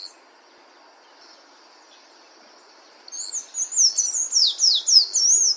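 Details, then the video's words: Sayaca tanager heard in nature: three seconds of near silence with a faint thin tone, then a sudden burst of high, rapid, squeaky twittering. Sliding notes repeat several times a second until the end. "SANHAÇO CINZENTO CANTANDO NA NATUREZA"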